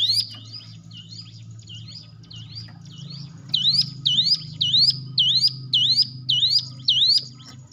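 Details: Hill prinia song to prompt cage birds to sing: softer notes at first over a steady low hum, then eight strong, clear upswept whistles in a quick regular rhythm.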